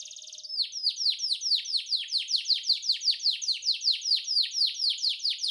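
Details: Long, unique canary cengkok for masteran: after a brief buzz, a steady string of sharply descending swooping notes repeats about four times a second for five seconds.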